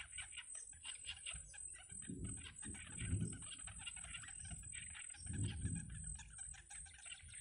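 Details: Yellow bittern nestlings fed by their mother in a wild nest keep up fast, rasping chatter throughout. Two louder low thumping, rustling bursts come from nest movement, over steady hiss.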